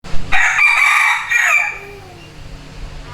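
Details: Rooster crowing once: a loud, harsh, harmonic cry that starts abruptly and holds for over a second with a slight break near the end, then trails off into quiet background hum.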